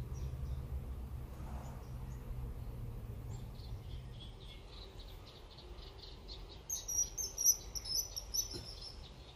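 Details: Kingfisher, Alcedo atthis, recorded at Warandeputten in 2018. Faint high notes give way to a burst of loud, piercing, very high whistles near the end, over soft low background noise.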